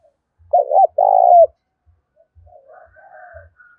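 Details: Spotted dove song used to spur newly caught doves into cooing: two loud coos, a short wavering note then a longer steady one, followed by faint, softer trailing coos in a quiet setting.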